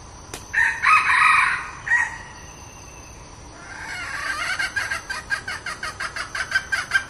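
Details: A red junglefowl decoy hen gives a drawn-out, nasal cackle, then a quickening run of short clucks about three a second, growing louder.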